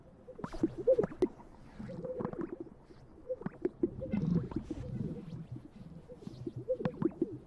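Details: Greater Sage-Grouse males displaying on a lek at dawn in spring amid late snow in western North American sagebrush, competing for females: hollow, bubbly pops and gurgling, swooping notes in quick overlapping bursts every second or so.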